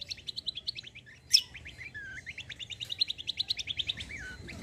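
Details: White-eye song used to make other birds reply: a continuous, fast high twitter of short rising notes, broken by one loud sharp chip and a couple of brief sliding whistles.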